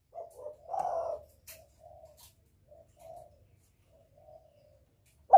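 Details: Lure calling by a spotted dove to attract a male: a series of soft, low coos of uneven length, one fuller mid-phrase note, and a sudden loud sound at the very end.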